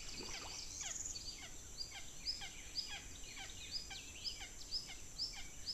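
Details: Red-shouldered hawks at the nest while feeding chicks: thin, high squeals that slide sharply downward, repeated about twice a second, over a steady high-pitched hiss.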